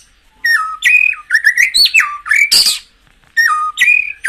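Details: Loud, varied song of a white-rumped shama, played to get kept birds into singing form: rich whistled phrases with abrupt jumps in pitch, a brief harsh rasp, then more warbled whistles.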